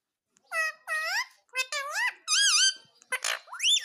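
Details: Pet ringneck parrot indoors, a talking bird taught to say "mummy"; a series of clear, voice-like squawked syllables with bending tones, about six phrases in under four seconds.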